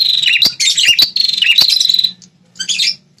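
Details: Prinia known locally as prenjak kepala merah, whose call is played to make wild territorial males angry and answer; a dense, fast, buzzy chattering trill for two seconds, then a shorter chatter after a pause.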